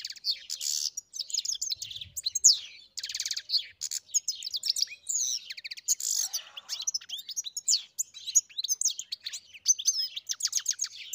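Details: Sustained European goldfinch singing: rapid, rattling trill series and tinkling twitters flow almost without a break, interspersed with wheezy buzzes and quick sliding whistles.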